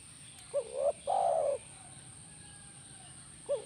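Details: Spotted dove call, played as therapy to make a caged dove answer: a short wavering coo followed at once by a longer, level, mellow coo, then a pause and another short coo beginning near the end; steady faint high hiss behind.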